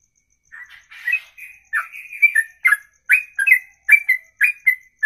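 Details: Ropelan song, sung in a single breath for over two minutes: after a short harsh rasp, the bird launches into fast, loud whistled chirps alternating high and low, accelerating into a tight repeated rhythm.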